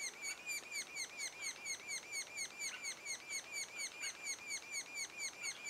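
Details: Sapsucker nest two days before first fledge: evenly spaced high chirps, each sliding downward, repeat about two per second throughout.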